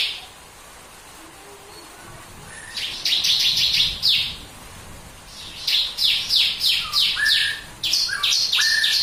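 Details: Bar-winged prinia giving its tembakan burst song, meant to set other birds singing: after two quiet seconds, bursts of rapid buzzy high notes come in runs, with a few short lower whistles mixed in, then pauses.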